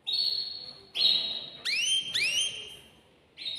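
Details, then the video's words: Male canary in a cage singing to excite a female into mating: long level whistles alternating with two strongly upward-sweeping notes, on a light background hiss. "تغريد ذكر كناري هائج يريد تكسير القفص يحفز الأنثي لتزاوج"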